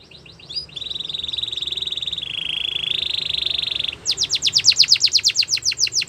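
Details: Canary song recorded for training young canaries to sing: a steady high buzzy tour that dips slightly in pitch midway, then a run of quick sharp descending notes, with faint low background hum.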